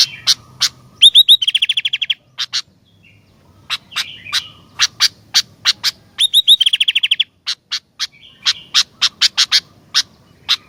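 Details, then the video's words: Sooty-headed bulbul song: a fast trill of bright repeated notes, short warbles and long sequences of crisp clicking notes about three per second. The pattern recurs twice. "Kicauan Gentilang Gacor Dooor"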